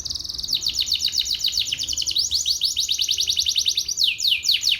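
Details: Caged canary singing during morning sunning, a fast continuous song of rapid high trills and chattering phrases, with rising sweeps near the end.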